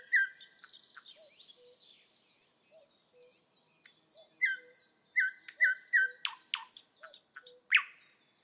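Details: Thrush nightingale singing while perched on a spring evening: varied short whistles and high piping notes, some repeated in pairs, interspersed with low soft notes and a few harsh rasping bursts near the end.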